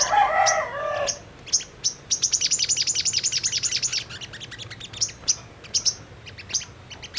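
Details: Brown-throated sunbird song played as a lure to draw birds into answering: a fast, even run of high chirps about five per second, then scattered sharp notes. A lower warbling sound is heard at the start.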